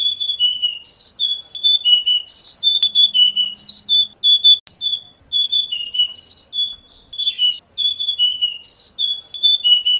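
Oriental magpie-robin singing a lively, varied run of clear high whistles and sweet slurred notes, phrases following each other almost without pause.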